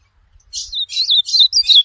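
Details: Ultramarine grosbeak, recorded as teaching audio for a pet bird, gives a brief warbled phrase of quick slurred whistles after a scratchy opening note, with faint low thumps behind.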